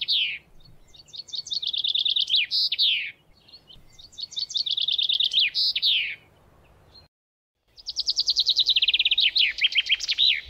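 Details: Common chaffinch (Fringilla coelebs) song: three bright songs, each a fast accelerating trill of high notes descending into a flourish at the end, separated by brief pauses.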